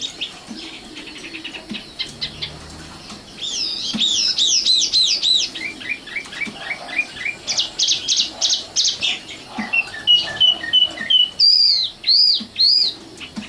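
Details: Luscinia megarhynchos, the common nightingale or sikatan londo, in a rich varied song: looping high whistles, descending chirp series, a dense buzzy stretch, piping notes on one pitch, and ringing arched whistles.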